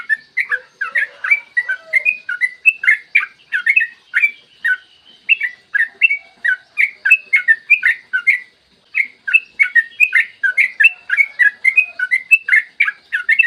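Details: Long continuous yellow-vented bulbul song, recorded clear in the morning to lure other bulbuls into singing: rapid bubbly whistled notes tumbling up and down, a short pause midway, then more chattering phrases.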